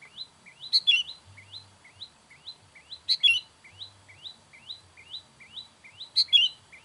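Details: Sooty-headed bulbul calling to attract wild bulbuls: three loud, harsh burst calls spaced about three seconds apart, over a steady background series of quick rising chips repeated several times per second.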